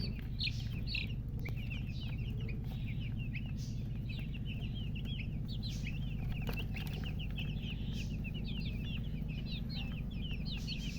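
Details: Newly hatched chicken chicks peeping loudly, a dense overlapping chorus of short high chirps with rising and falling sweeps, many birds calling at once over a steady low hum and occasional clicks.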